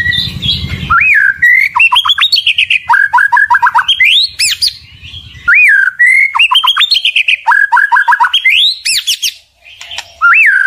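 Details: White-rumped shama (murai batu) sings repeated phrases of rising whistles followed by quick stuttering trills, with short gaps between bursts and a faint low hum underneath at times.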